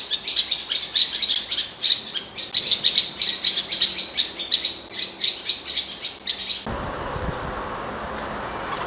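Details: Eurasian blackcap in Morocco, recorded about 3 metres away, singing a fast, high, chattering stream of bright chirps, about four a second, before the song breaks off into a steady hiss.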